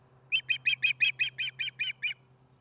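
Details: Chattering osprey at its Charlo nest while eating, 4:30pm MDT, July 15, 2019; ten bright, clipped chirps in roughly two seconds, evenly paced, over a faint low hum.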